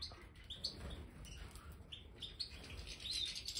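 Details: Aviary-kept Major goldfinches near fresh bird sand: clipped bright chirps repeated every half second or so, with a brief thin drawn-out note near the end and faint background hiss.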